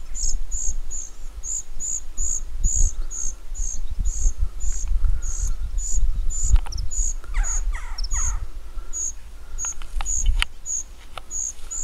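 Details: Young common cuckoo being fed by its meadow pipit foster mother begs with thin, very high, sibilant notes, about two per second, steady throughout; low wind rumble and a few other bird notes underneath.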